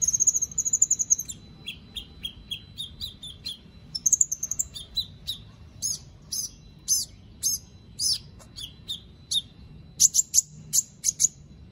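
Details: White-rumped shama from Palu, Central Sulawesi, kept caged for song contests: a long high trill, a series of lower falling whistles, another trill, then evenly spaced sharp high notes and quick doubled chips.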